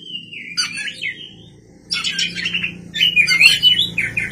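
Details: White-rumped shama singing at night: a sliding whistle followed by bursts of harsh, buzzy chatter and quick warbled notes, over a faint low hum.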